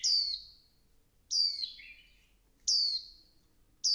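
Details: High descending whistled notes from a female Swinhoe's white-eye goading the male to sing. They come roughly every 1.3 seconds, each sharp onset trailing off into a thinner tail, against a quiet background.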